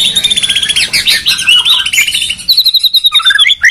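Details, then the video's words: White-rumped shama song duel between Medan and Borneo birds, a territorial species: dense high chattering trills and buzzy phrases, then clear whistled notes and downward slurs, loud and nearly unbroken. "Murai batu gacor medan vs borneo duel dahsyat"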